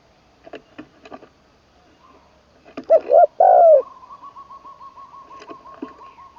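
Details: Spotted dove decoy in training, Isan, Thailand, third session, ขันลงกุกวัย crowing: one low three-part coo phrase amid soft clicks and knocks, followed by a steady high whistled tone.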